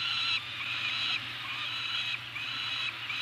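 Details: Pair of Peregrine falcons, Anacapa, May 28, 2018, as food is delivered: harsh, strained wailing notes held for nearly a second each, repeated with short gaps, a constant low electrical-sounding hum underneath.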